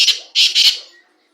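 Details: Black francolin calling: a short harsh burst followed by two longer grating, high-pitched notes run closely together, all within about one second, then silence.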